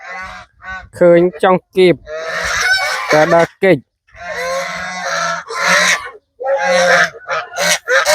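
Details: Village farm geese crowd around at evening feeding and try to nip a stranger; their harsh, nasal honks come fast and overlapping in several bursts, with short pauses and a man talking faintly.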